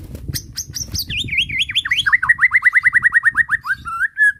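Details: White-rumped shama song heard as a bait recording: high sharp notes descending into a fast even series of slurred whistles, ending in a rising whistle, over faint low noise.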